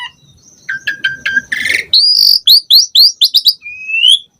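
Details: Energetic Asian pied starling singing: a few repeated short chips, a harsh noisy burst, then a run of quick rising whistled upslurs and a final drawn-out rising whistle.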